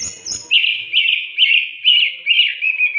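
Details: Oriental magpie-robin training song: a high whistle, then a steady series of five buzzy, trilled phrases repeated about every half second at a similar pitch.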